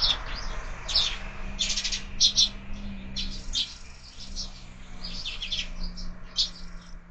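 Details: Sparrows at a year-round window feeder at breakfast: loud, harsh chirps in grouped bursts, some chattering, with a faint steady hum underneath.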